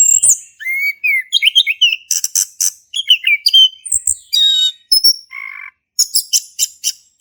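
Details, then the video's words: Male orange-headed thrush singing, played to prompt a silent thrush; mixed whistled slurs, harsh rasping bursts and a brief low buzzy trill, followed by quick repeated high chips. "Anis Kembang Jantan Gacor buat pancingan anis kembang macet bunyi"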